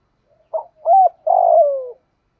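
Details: A spotted dove calling, meant to train other doves: a brief note, a smooth level coo, then a long vibrating coo that slides down, nothing else heard.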